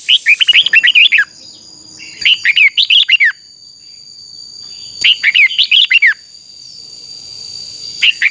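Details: A red-whiskered bulbul kept for song training and singing contests repeats lively, bubbly whistled phrases about every two to three seconds, each a rapid string of rising and falling notes, with a faint steady tone behind.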